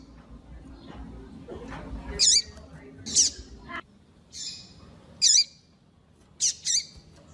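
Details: Female double-collared seedeater, a calling hen used by breeders to stimulate and warm up cold males, giving short, sharp, high chirps spaced about a second apart, with low background noise.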